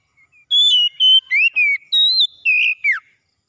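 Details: An Oriental magpie-robin sings in the morning, giving a phrase of seven loud whistled notes, some level and some swooping, that ends in a sharp downward slur.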